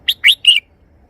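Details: Three-syllable song of a red-whiskered bulbul, heard close and loud: a short whistle, a longer rising slur and a held, bright final note, all within about half a second.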